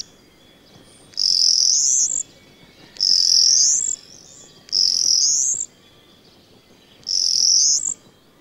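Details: Common starling courting at its finished nest on a farm in the Allgäu in spring: a high, rising, slightly buzzy whistle about a second long, repeated four times roughly every two seconds over faint steady hiss.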